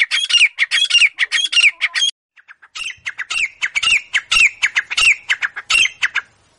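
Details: Grey francolin, locally called teetar, calling loudly in harsh repeated phrases, each a burst of grating notes with a bright slurred whistle near the end, about two phrases a second before a short pause and a second run.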